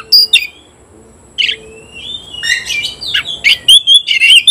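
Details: Oriental magpie-robin competing with a rival, giving loud sharp chips, a thin rising whistle, then a fast medley of buzzy notes and bright warbled phrases.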